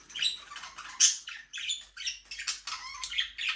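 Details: Budgies kept in a small aviary chatter in a continuous rapid warble of scratchy chirps and squeaky notes, rising and falling in short phrases with no other sounds.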